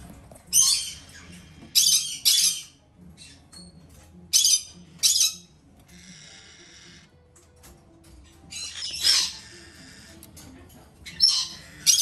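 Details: Two hand-fed female red-shouldered macaw chicks from a domestic breeder, kept indoors, uttering short harsh rasping squawks in scattered bursts with quieter pauses between, plus a faint steady tone in the background.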